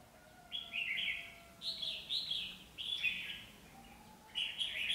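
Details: Decoy red-whiskered bulbuls, a pair used for bird trapping in Bắc Giang, Vietnam. Short warbling phrases repeat about every second over constant background noise.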